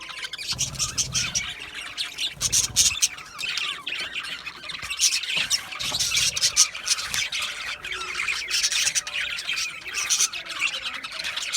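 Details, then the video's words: Many budgies keep up a long, unbroken chatter of high scratchy chirps and warbles, with occasional louder squawks and small pauses between bursts. "Cute Budgies chirping Sounds | Budgies relaxing Sounds | Budgies parrots Sounds"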